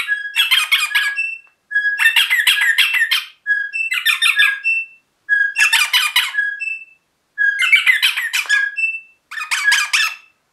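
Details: Pet rosella parrot chattering vigorously, six dense bursts of rapid, harsh stuttering notes with brief whistled phrases tucked between them, pausing about a second between bursts.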